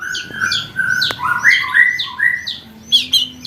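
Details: Contest-training song of a white-rumped shama (murai batu): rich fluted whistles swinging up and down, with brief squawky notes between phrases.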